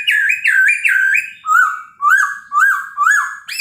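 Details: Chinese hwamei singing in the morning to provoke other birds into answering: loud clear whistled phrases, first a repeated looping motif, then rising slurred notes repeated about every half second.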